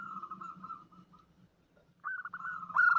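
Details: Female zebra dove calling a male, used as a trapping lure: soft stuttering trilled cooing that fades, then a louder clipped, bubbling run of rapid notes after a pause, with a low steady hum underneath.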